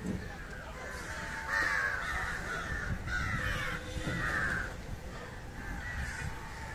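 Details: Harsh, hoarse caws from an Indian jungle crow feeding on fish, several long rasping calls in close succession over low background rumble.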